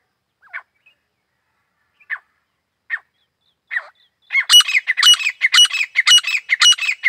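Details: Grey francolin (desi teetar): four spaced introductory clucks, then a loud, quickening series of shrill, metallic repeated phrases, nearly two per second, in a quiet setting.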